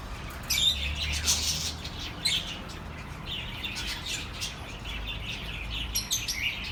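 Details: Chirping of pet birds for lonely birds: scattered bright chirps and squawky chatter, a clear whistled note near the start, and a low humming tone in the background.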